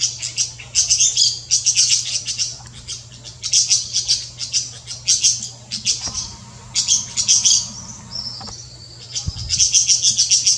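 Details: In the Brazilian Amazon, golden-winged parakeets give shrill, scratchy chattering notes in quick bursts, almost without pause, over a low steady hum and a brief thin whine.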